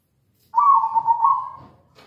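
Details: Zebra dove of local stock singing, meant to stir other doves into song: one sustained, rolling coo of fast trilled pulses lasting just over a second, ending in a brief soft click and faint low noise.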